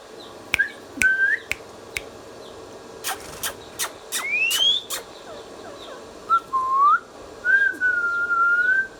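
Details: Pet ringneck parrot offering scattered short whistles, one long rising slide and a steady drawn-out whistle, with several loud clicks between notes over faint background hum.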